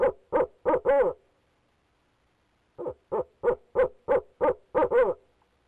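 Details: A male barred owl calls persistently from the nest box at Leesville in 2018: a burst of hoots closing with drawn, wavering notes, a quiet gap of nearly two seconds, then a rapid steady series rising to longer hoots.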